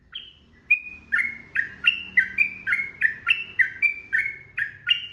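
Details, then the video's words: Yellow-vented bulbul giving long, continuous 'ropel' song meant as training audio for cage birds: rapid run of about a dozen bright whistled notes, alternating higher and lower pitches, roughly three per second, over faint low hum. "SUARA TRUCUKAN GACOR 2026 ROPEL PANJANG"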